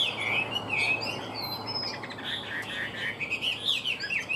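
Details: A tame, caged Chinese hwamei with a fanned tail, praised for its good voice, sings a run of quick, varied warbled and chirped phrases at fairly high pitch over a steady, broad background hiss.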